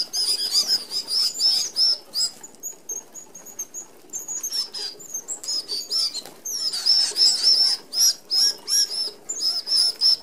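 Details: Red-browed finches feeding as a flock at a small-mesh feeder in Australia; bursts of high squeaky chatter at the start and end, thin drawn-out peeps in between, with whirring wings.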